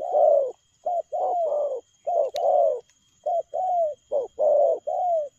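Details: Spotted dove giving rapid 'lèo gù' style coos: brief soft hoots followed by longer, slightly falling coos in irregular pairs, with a single click midway.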